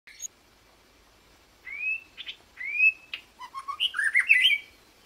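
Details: Wild magpie-robin singing: after a brief opening chirp, clear rising whistled slurs, then a quickening jumble of varied chirps, twitters and trills, growing denser and louder toward the end, with a quiet background.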